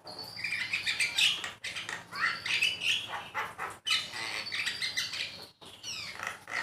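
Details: Javan myna master song meant to prompt pet mynas to sing: continuous harsh, buzzy chatter with squeaky whistles and descending slurs, interrupted by brief clean gaps.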